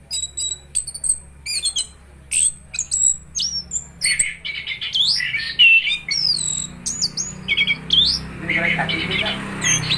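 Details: Orange-headed thrush, gacor ngeroll singing: a rapid string of high, varied chirps and sharp whistled slurs, some rising and some falling, with brief pauses between bursts and a low hum behind.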